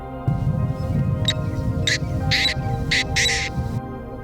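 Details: A painted francolin perched atop a pole in the Bhigwan grasslands, Maharashtra, during the monsoon, gives five harsh, scratchy notes about half a second apart over a steady low hum and background music.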